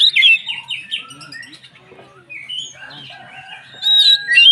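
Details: Oriental magpie-robin in lively song, used to provoke other magpie-robins; loud warbled opening, quieter mixed whistles in the middle, then a strong clear whistled phrase.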